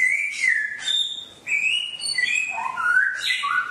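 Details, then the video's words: Songbird song for caged birds to copy: clear sweet whistles, a falling slur, a short gap, then level whistled notes followed by a descending staircase of lower whistles and a final rising note. "MUỐN CHIM HÓT HAY| MỖI NGÀY 10 PHÚT | TỰ NHIÊN CHIM HÓT GIÀ RỪNG"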